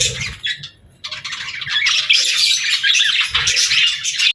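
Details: Pet budgerigars give a few scattered chirps, a near-silent pause, then a loud, continuous burst of twittering and harsh squawky chatter.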